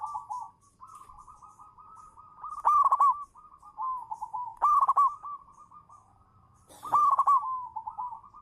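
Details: Champion local zebra dove lure bird singing from its perch. Continuous rippling coo trills are punctuated three times by loud, raspy, strongly accented notes at fairly even intervals.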